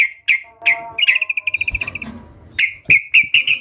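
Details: Sooty-headed bulbul giving a few sharp chirps, then a fast, even trill of about a dozen identical notes. More emphatic chirps follow in gacor song, with a brief low thump in the background.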